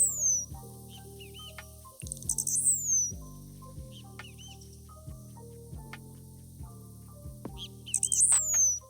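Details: Blue-black Grassquit in open tropical grassland in Morelos, Mexico, which sings from an exposed perch while jumping: a very high, brief song twice, about six seconds apart, three quick pulse-like notes, then a longer falling note. Soft plucked music plays underneath.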